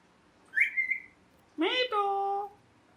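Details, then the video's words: Pet ringneck parrot giving a short whistled note that rises then levels off. A long, harsh, nasal squawk follows and settles into a steady buzzy tone. "Parrot Chirping Sounds"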